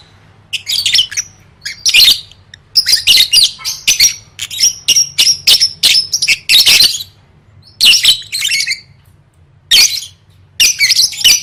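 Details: Lovebird trained for singing contests, delivering a long run of rapid, shrill chattering notes and buzzy squeaks in quick pulses, several brief pauses between phrases, low steady hum underneath.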